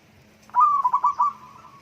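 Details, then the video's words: Zebra dove song: a soft opening note, then a rapid bubbling series of four or five clipped, trilled coos at one steady mid pitch, ending in a drawn fading purr, over a faint low hum. "terapi Burung Perkutut Murung Dan Malas Bunyi"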